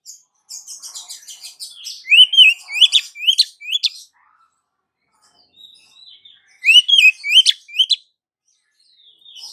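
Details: Female Oriental magpie-robin calling to attract the male, used as a lure: soft chattering, then a loud run of four upslurred whistles with chips, a silent gap, and another shorter burst.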